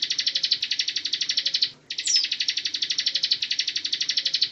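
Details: Bar-winged prinia (Javan ciblek) in continuous 'ngebren' style used as a tutor recording for magpie-robins: a rapid, even trill of high buzzy pulses, broken once by a short pause and a thin upslurred note.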